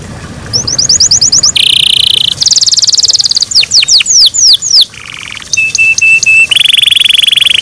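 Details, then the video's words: Canary in morning song, varied phrases: quick high trills, a dense buzzy roll, swooping whistled notes, a low rattling segment, then short chips and a long buzzing trill. "MORNING SONGS OF CANARIES IN THE MORNING"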